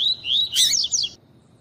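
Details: Female double-collared seedeater calling to stimulate males to sing: high thin chirps, a wavering whistled note then a burst of quick sweeping twittered notes, lasting about a second.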